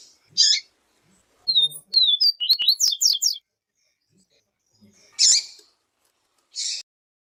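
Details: Yellow-bellied seedeater tutor singing the siu siu song style while a female calls to warm him up. A fast string of high slurred and falling whistled notes runs for about two seconds, framed by several short harsh rasping bursts.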